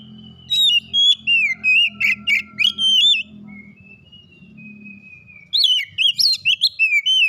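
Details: White-rumped shama (kacer), winner of a singing competition, pours out rapid loud whistled and slurred notes with chattering bursts, pauses for a long thin level whistle, then resumes a fast varied phrase series; low hum beneath.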